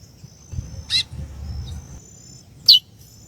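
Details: Female chestnut-bellied seed-finch calling to stimulate the male: two short, sharp, high chirps about two seconds apart, over a faint steady high whine and low background rumble.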